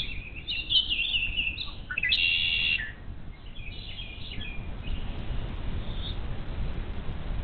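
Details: Young bald eagles left alone all day without food in a Little Miami Conservancy nest, 12 May 2023, seen on a live cam. Two loud, high, squealing chittering bursts come early, then fainter chirps fade into constant background hiss.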